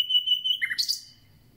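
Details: Common nightingale, just arrived for its concert, holds a long pure whistle pulsing in volume, then drops into a brief low buzzy note and a short burst of high notes.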